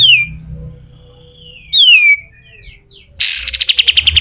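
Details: Pied triller, a master bird for teaching other birds, in coarse 'besetan' song: clear downslurred whistles separated by pauses, followed by a rapid buzzy rattle of evenly spaced notes.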